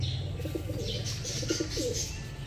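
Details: Female pigeon after laying an egg, uttering low pulsed cooing notes in two short bursts, the second more drawn out and slightly falling, over bright twittering chirps of other birds and steady background hum.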